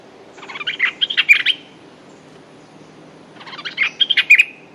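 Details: Two bursts of hurried, bubbling chatter from a Streak-eared bulbul, a territorial male eager to fight, each lasting about a second and separated by a short pause, with faint low background hum.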